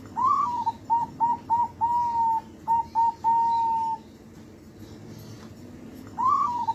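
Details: Two-month-old zebra dove trained nightly so its voice stays lively. A full phrase of a rising slurred coo, a run of quick clipped coos and two drawn-out level notes, then a pause of two seconds before the next phrase begins. Faint low hum underneath.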